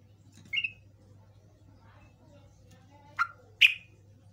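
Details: Yellow-vented bulbul (trucukan) sound used to lure other birds into answering: one short chirp, a long gap, then two quick, sharp chirps close together, the last one higher, over a low steady hum.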